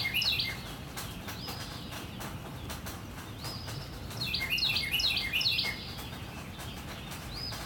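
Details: On a rainy morning a Northern cardinal sings two bursts of quick, down-slurred whistled notes, a short one at the start and a longer series midway, with continuous rain patter between.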